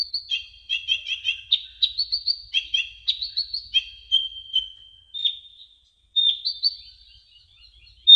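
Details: Tutor recording of brown-throated sunbird song: fast runs of sharp, high chirps, then long thin sustained whistles with a fresh twittering burst near the end.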